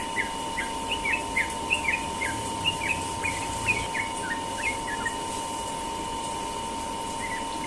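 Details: Sooty-headed bulbul in morning 'ropel' song, a string of quick whistled slurs for about five seconds, then only scattered notes, set against a broad hiss of background noise and a steady hum.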